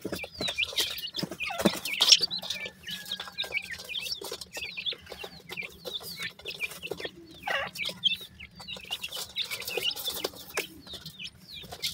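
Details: A brood of partridge chicks from Pakistan peeps continuously. Many small falling whistles crowd together over frequent scratching and clicking noises.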